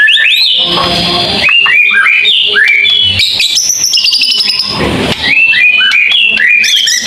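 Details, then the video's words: Long-burst song (tembakan panjang) of a white-rumped shama: repeated upslurred whistles in quick series, rich warbling between, a brief high buzzy passage midway, then more rising whistles. "mure tembakan panjang"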